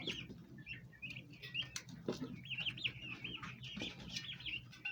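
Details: Bronze turkey poults, domestic birds, crowding to feed at a plant basin: a dense run of high, wavering whistled peeps in quick succession, several chicks overlapping, with scattered knocks and low background hum.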